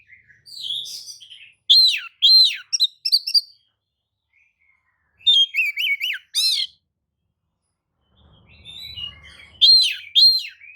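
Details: Provoking lure song of an Oriental magpie-robin, aimed at rival birds: three separate bursts of loud arched whistles, rattling buzzy notes and varied chips, with silent pauses and a faint low rumble between.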